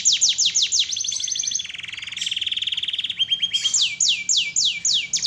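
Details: Canary singing a full, energetic master song, loud and melodious: rapid descending whistled sweeps, a long fast buzzy trill, a lower rolling trill, then more repeated falling sweeps, about three notes per second.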